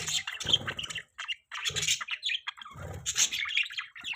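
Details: Budgerigars in the morning warbling and chirping in busy bursts, broken by repeated low rumbling or scraping noises.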